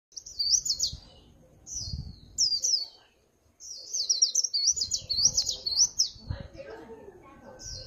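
A white-eye sings in rapid, high, tinkling twittering phrases, short bursts then a longer run, with soft low thumps beneath.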